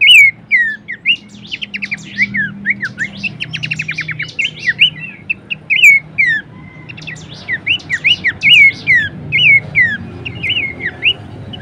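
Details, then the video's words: Horsfield's babbler as a master recording to train and lure songbirds: lively slurred whistles alternating with fast buzzy trill bursts, continuous and energetic, soft background rumble. "masteran dan pancingan bunyi khas burung pelanduk semak"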